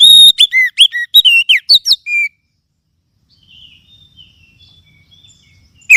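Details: Kacer, the Oriental magpie-robin, singing a lure phrase meant to make caged birds answer: a rapid run of about ten loud, varied whistles and chirps over two seconds, then faint distant twittering and a last note.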